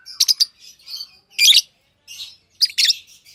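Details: Pet lovebirds trade sharp squeaky chirps and softer raspy twitters in quick, uneven bursts, the loudest clusters coming about a second apart.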